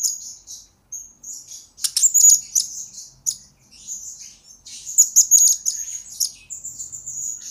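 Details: Blue-crowned hanging parrot, a lure and master recording for training birds: long stretch of very high, thin twittering with repeated dense bursts of sharp chirps and buzzy trills.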